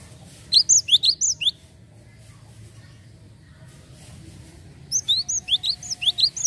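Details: Lure recording of a Java sparrow used on untrained birds: a brisk cluster of about six bright, hooked chirps, a quiet pause, then a second cluster of rising chirps.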